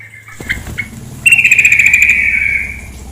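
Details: Faint short notes lead into a bright, quick, rattling trill from a female sooty-headed bulbul lasting over a second and trailing off, accompanied by the low sound of flowing water.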